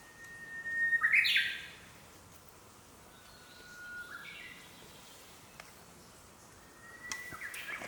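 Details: Japanese paradise flycatcher near its nest in green forest, male incubating: three short phrases, each a thin, steady whistle ending in a harsher burst, about three seconds apart, over quiet forest background.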